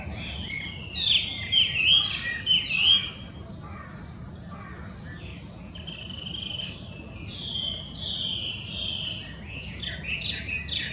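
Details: Wild Chinese hwamei, an introduced invasive bird from China in Japan, gives a burst of loud, looping whistles in the first three seconds. Quieter, softer whistled and buzzy notes follow over steady background noise.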